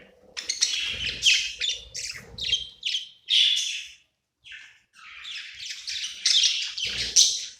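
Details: A budgerigar happy in a new home at night, chattering in short bursts of raspy, squeaky notes, a brief pause in the middle, then a busier stretch of chirps.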